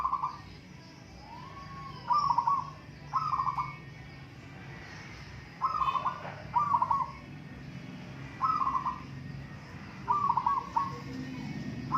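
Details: Several local zebra doves competing in song, trading short rippling trilled coos repeatedly over twelve seconds, phrases often in quick pairs, with a low hum in the background.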